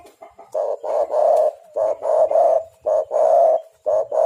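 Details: Spotted dove calling repeatedly, a lure recording meant to attract doves for trapping; a dense run of loud, rough coo notes in short bursts with brief gaps, slightly harsh and crowded.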